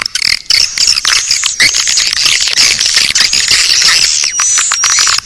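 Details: Swiftlet calling sound named Naga Birahi, played to attract swiftlets: a continuous shrill wash of twitters with thin whistled slides and rapid clicks, loud and steady.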